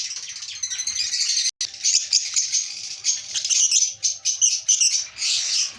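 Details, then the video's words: A breeding pair of lovebirds chattering continuously: dense, high, buzzy twittering with fast rattling runs and sharp squeaks, briefly cut by a short gap. "Breeder Lovebirds❤"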